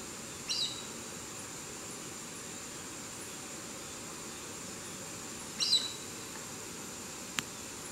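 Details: In Santa María, Boyacá, Colombia, a Chestnut-eared Aracari (Pteroglossus castanotis) gives two sharp, high squeaky notes about five seconds apart, over steady background hiss and one brief click.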